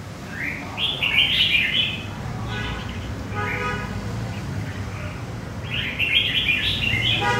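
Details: Wild-caught red-whiskered bulbul from central Vietnam singing: bright, warbled whistled phrases in short bursts, a pause of about a second between groups, over a low steady hum and faint background noise.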